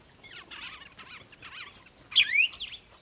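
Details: Birds at sunrise in the morning, soft wavering twitters in the background followed by a few louder, sharp chirps and a falling whistle.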